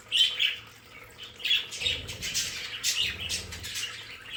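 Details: Several pet budgerigars in a home play area chatter with squeaky chirps and harsh bursts, uneven in rhythm, while water trickles continuously in the background.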